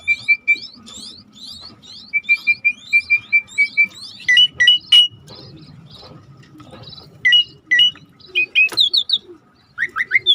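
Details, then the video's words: Lure recording of an Asian pied starling meant to set a non-singing bird off: a run of evenly repeated short clicking whistled notes, then louder varied whistles, sharp chips and rising sweeps. "tembak burung jalak suren yang macet bunyi"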